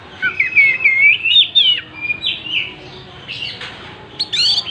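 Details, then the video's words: An Oriental magpie-robin, tail fanned open, sings strongly in rich whistled phrases that slide up and down, followed by shorter chirps and a harsh high note near the end, over quiet background hiss. "Burung Kacer gacor buka ekor"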